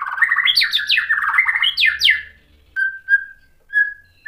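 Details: White-rumped shama singing to stir other shamas, a dense burst of rapid chattering and sweeping notes, followed by short clear whistles spaced apart.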